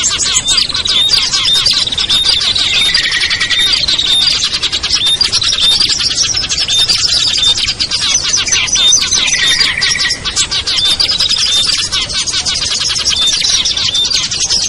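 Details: Lure sound of many small birds, among them ciblek, kutilang, trucuk, sogon and perenjak, aimed at birds that will not come down; an unbroken high-pitched chatter, with two lower buzzy phrases standing out.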